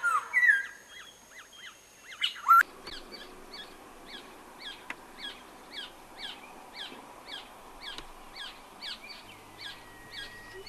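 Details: Black-naped oriole raising its chicks: a loud, bright whistle and chattering calls at first, then a long run of soft, squeaky, rising calls repeated about every two seconds.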